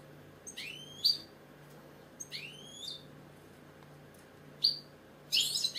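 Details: British goldfinch, a caged bird, giving a few separate rising upswept whistled calls with brief buzzy notes, spaced about a second apart against a steady low hum.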